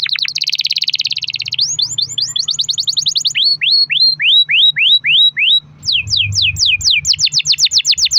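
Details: Canary song for luring other canaries into singing: a rapid buzzy trill, a fast rolling series of rising notes, slower repeated upward swoops, then brisk descending slurs, with a faint hum behind.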